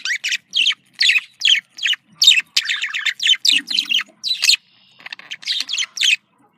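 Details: Happy budgerigar contact calling: a fast series of sharp, scratchy chirps, nearly one per beat with irregular spacing, a short pause, then softer chirps resuming.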